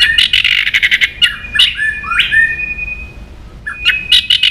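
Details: White-rumped shama song meant to make other shamas agitated: harsh buzzy bursts, then clear whistled notes rising and falling, one long sustained whistle, ending in more rasping chatter.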